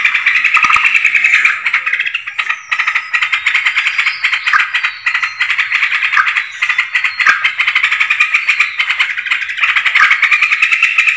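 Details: Yellow-vented bulbul lure recording used for trapping birds: a loud, dense, unbroken stream of fast chattering, rattling notes, bubbly and bright, running without pause for the whole stretch.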